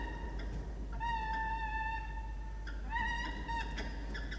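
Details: Male peregrine falcon at a nest box in Orange, New South Wales, Australia, 6 October 2021, asking the female for his turn to incubate the eggs: two drawn-out, steady, nasal wailing calls, slightly rising at onset, over low hum.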